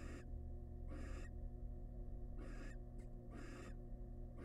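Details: Wild barn owls at a monitored nest box as the male brings a large rat to his family; four harsh, breathy hissing screeches about a second apart over a steady low electrical hum.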